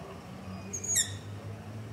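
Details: Long-eared owl begging call recorded at night near a house with a ZOOM H5 and LOM Usi Pro microphone: one short, high, squeaky rising screech over a low background hum.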